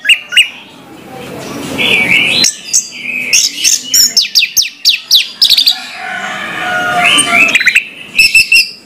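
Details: Orange-headed thrush singing in the morning: varied whistled phrases mixed with rapid chattering notes and sharp clicks, interrupted twice by stretches of hissing background noise.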